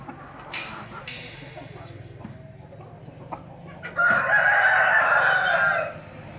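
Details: Quiet opening with faint clucks and a low hum, then a rooster bursts into a loud sustained crow of about two seconds near the end.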